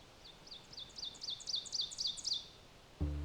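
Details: An Ovenbird in boreal forest at Lesser Slave Lake Provincial Park, Alberta, Canada, sings a fast series of sharp, paired notes growing louder toward the end, over quiet forest background, followed by a low thump.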